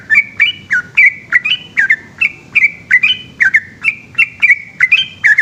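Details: Yellow-vented bulbul singing at night in the long 'ropel' manner: lively chirps, rising and falling by turns, repeated quickly and almost without gaps.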